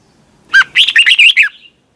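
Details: Red-whiskered bulbul competition singing in the morning, 'twisted voice' style, recorded for training birds: one clear phrase of about a second, a rising opening note followed by five or six quick, rich warbled whistles.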